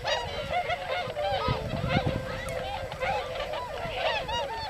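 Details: Tundra swans wintering in the rural fields along the swan road in Hakuta, Yasugi, Shimane, Japan; many birds give high, clear honking calls in an unbroken overlapping chorus, with faint low rumble underneath.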